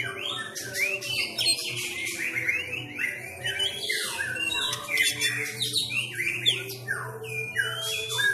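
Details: Home-trained Sumatran magpie-robin singing in fighting style: rapid, dense run of short scratchy rising notes and chatter repeated without pause, with a low hum throughout.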